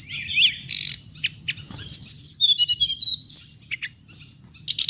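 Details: Hồng hạnh bird sound played to attract birds into traps, with fast, high, sliding whistles and twitters run together in bursts, short chip notes between them and a constant high-pitched whine behind.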